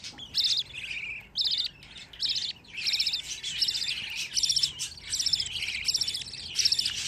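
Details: Fifteen budgerigar chicks kept as pets call in a dense chorus of shrill, rasping chirps. The calls start in separate bursts, then run together into near-continuous chatter.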